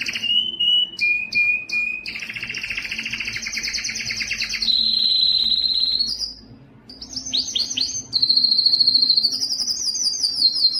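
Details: Singing yellow canary: short chirps, then a long buzzy double-toned trill and a smooth high note. After a brief pause come quick upswept chirps and a high wavering trill.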